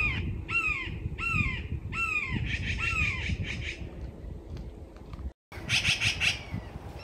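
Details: Yellow-billed magpies up in trees at Red Bluff Recreation Area, California, agitated at a red-shouldered hawk right beside them: harsh down-slurred calls about once a second, then rougher buzzier chatter, over wind or distant traffic.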